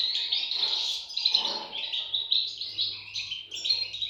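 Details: Goldfinch nestlings calling together in an unbroken stream of high, scratchy twittering, with a faint low steady hum beneath.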